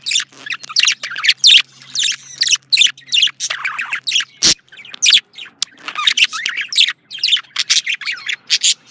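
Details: Pet male budgie chattering nonstop: a dense, scratchy warble of fast high chirps and squeaks with barely a break, plus one sharp click midway. A low hum fades out after the first few seconds.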